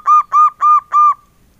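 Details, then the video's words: Male local zebra dove singing in the engkel style, described as very mellow: four evenly spaced, rounded hooting coos, each about a fifth of a second, delivered in a steady rhythm and followed by quiet. "SUARA PERKUTUT LOKAL JANTAN, SUARA ENGKELnya YG EMPUK BANGET"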